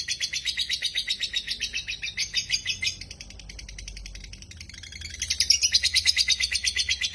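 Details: Dakocan lovebird in vigorous song for luring silent lovebirds to sing; bursts of fast shrill buzzy chatter, a quieter dip in the middle, then a louder, brighter burst of pulsing trills.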